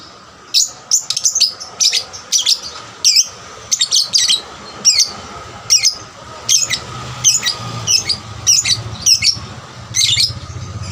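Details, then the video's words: Caged 'paud' lovebird singing to provoke other lovebirds, delivering a persistent series of shrill, clipped, high chirps, often doubled, repeated about twice a second over eleven seconds, with a faint low hum behind. "pancingan lovebird paud rajin bunyi... merangsang lovebird lain lebih gacor"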